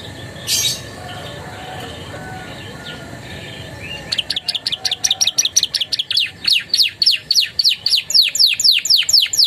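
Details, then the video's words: Canary song including Javan tesia and bar-winged prinia phrases: after near-quiet with one short burst, a long accelerating series of sharp descending chips, around four per second. "SUARA KENARI GACOR ISIAN CIBLEK PRENJAK"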